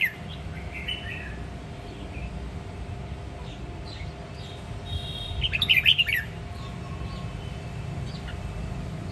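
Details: A red-whiskered bulbul from the Sông Kon area of Quảng Nam, Vietnam, sings in the many-voiced 'ché nẹt' style. A soft note comes early, then a short bright twittering phrase after five seconds, set against constant low background rumble.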